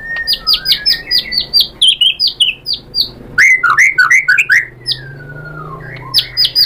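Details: White-rumped shama provoked into a varied reply: quick chains of descending notes, a cascade of lower slurred whistles, then a long falling whistle and a few final notes.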